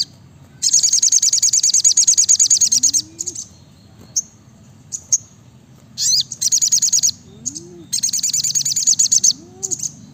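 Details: Brown-throated sunbird (sogok ontong, sriganti) singing loudly in the rapid 'nembak rapat' style: long, dense, high buzzy trills of fast repeated notes in bursts of about two seconds, separated by short sharp chirps, over a faint low hum.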